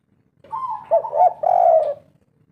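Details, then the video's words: Spotted dove, a local Indonesian 'kuk 3' type singer used as an old decoy bird, calling vigorously: a soft rising coo followed by two deeper, throaty, rolling coo notes, in a quiet setting. "Derkuku kuk 3 lokal gacor ngamuk || suara asli pikat tua"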